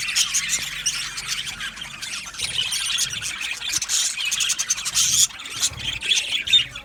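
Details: Male budgies chattering in their aviary colony, 8 December 2025: a constant, shimmering mass of quick high chirps, squeaks and buzzy warbles from many birds together.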